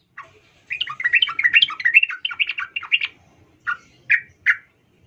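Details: Female sooty-headed bulbul calling to a male, used as a lure for excited male song. A dense, tumbling chatter for about two seconds, then three separate, clear chirps spaced half a second apart.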